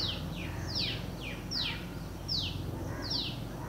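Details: Newly hatched White-breasted Waterhen chicks, four black chicks following their mother through a flower bed in an orchard in Delhi, give thin, high peeps, each sliding quickly downward, about every three-quarters of a second over a low rumble.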